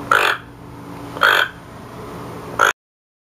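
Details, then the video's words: A captive toco toucan gives three harsh, raspy croaks about a second apart, a frog-and-pig-like alert call warning the flock of something he doesn't like, over a faint hum. "Toco Toucan Croaking Sound"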